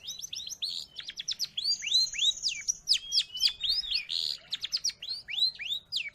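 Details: Varied long-tailed shrike song, played to train pet birds or lure wild ones, full of quick swooping whistles, twittering runs and a steady high thin note, repeated in rapid succession.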